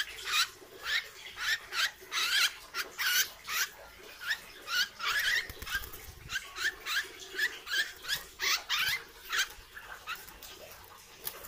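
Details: Caged hair-crested drongo under training, a strong mimic with a loud voice: a long run of rapid rasping chattery notes and short upward whistled slurs, irregular and steady in loudness.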